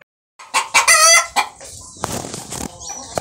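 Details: Barred cream Leghorn rooster crowing: a short burst of strong, harmonic-rich crow notes lasting under a second, followed by rough noisy sounds and scattered clucks.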